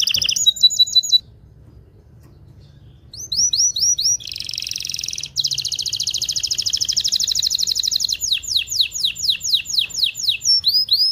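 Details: Mating-stimulation song of a domestic canary: varied phrases with a short trill, a pause, then rising sweeps, a long rapid buzzy roll and fast repeated falling notes, all high-pitched and loud, over faint low hum.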